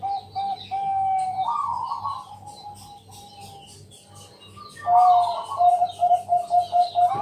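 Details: Zebra dove of the Bangkok type, recorded at night as a lure for other doves; a level cooing note, then a rising rolled phrase and quick repeated coos, over a low steady hum and faint ticking.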